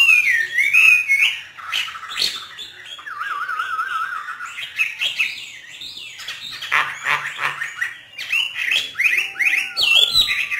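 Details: Caged hwamei trained by a northern Vietnamese keeper, singing freely: loud varied phrases of rich whistles and harsh notes mostly high-pitched, with a low wavering warble near the middle and sharp clicks throughout.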